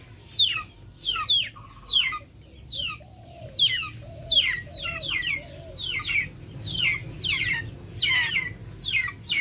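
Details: Backyard chickens outdoors. Rapid, shrill peeping chirps, each sliding downward, come nearly twice a second throughout, while short low clucks sound beneath in the middle stretch.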